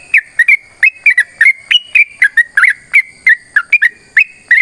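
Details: Caged sooty-headed bulbul with a long fighting song used to prompt other birds to sing; bright, warbling whistled notes come singly and in quick pairs, unevenly spaced, over a faint steady background tone.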